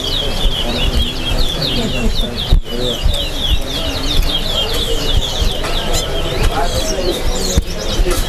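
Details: Large-billed Seed-Finch (towa towa) at a bird singing competition at Lusignan, Guyana, sings a quick stream of high, slurred whistled notes without a break, over heavy low rumble and crowd chatter.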